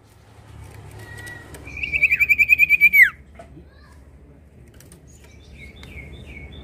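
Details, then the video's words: Prinia song for luring other birds into singing. One rapid trill of high evenly spaced notes falls away at its close, over steady background noise, with faint distant chirps afterward. "Pancingan Burung SIRTU Gacor Ombyokan Pasti Ikut Gacor"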